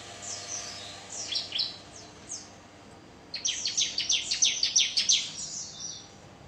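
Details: Bar-winged prinia song: a few thin high scattered notes, then after a pause a rapid, regular series of high buzzy chips repeated about three per second.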